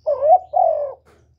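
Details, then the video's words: A single spotted dove phrase, calling to provoke males: a rising, wavering hoarse coo followed by a longer level coo, over a faint low rumble. "TIẾNG CHIM CU GÁY KÍCH TRỐNG RẤT HIỆU QUẢ, GÁY GỌI THÚC KÈM CỰC CHUẨN"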